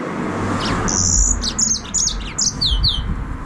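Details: A yellow-fronted canary, known as green singing finch, sings a sustained high buzzy note followed by rapid chirped notes and several descending whistled slurs, over low background rumble.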